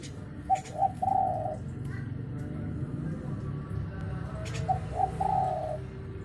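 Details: Untrained spotted dove, used as a lure sound: two mellow cooing phrases, each two short clipped notes then a longer rolling coo, about four seconds apart, over a steady low rumbling background hum.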